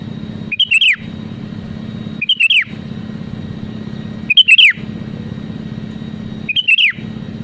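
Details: Sooty-headed bulbul repeating a loud, punchy phrase of a few warbling notes that drops at the end, four times at roughly two-second intervals, to goad rivals into singing; a low mechanical hum runs throughout.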